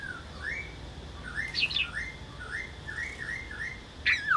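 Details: Laughingthrush singing a run of mellow whistled phrases, each rising then dipping, repeated about every half second, with a couple of sharper high notes breaking in; steady faint hiss behind.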